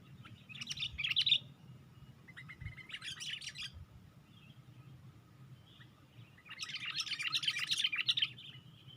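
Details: Sooty-headed bulbul used as a lure, a bird raising its wings on a twig; three bursts of dense, bright chirping and twittering notes, separated by quieter pauses, over a faint low hum.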